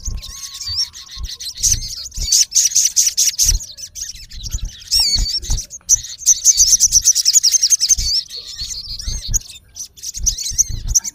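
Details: Male olive-backed sunbird calls at a rival in the wild: rapid, shrill chirps and rattling trills tumbling together, with a fast trilled run midway and occasional soft knocks below.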